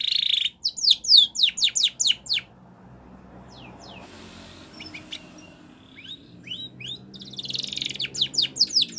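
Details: Spanish Timbrado canary training song: a brief buzzy trill and quick falling chirps, then a long near-silent gap with scattered faint notes, before rapid high chirps and a buzzy roll return at the end.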